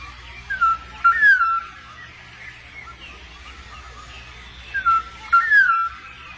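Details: In the wild, a pair of black-naped orioles feeds its young. Two bouts of mellow, liquid whistled notes come about four seconds apart, each a short note followed by a longer sliding slur, over faint background hum.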